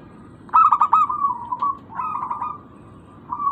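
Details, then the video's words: Local zebra dove as a lure sound: a quick stuttering run of coos sliding into a level held note, repeated once, then a third phrase beginning. "Pancingan burung perkutut lokal"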